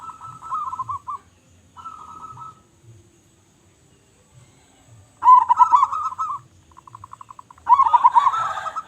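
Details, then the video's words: Local zebra dove singing hard with a loud voice: two quiet rolled coos, a long silence, then a louder bubbling phrase, a run of rapid soft pulses, and a final strong trill. "Perkutut Lokal Gacor Suara Besar"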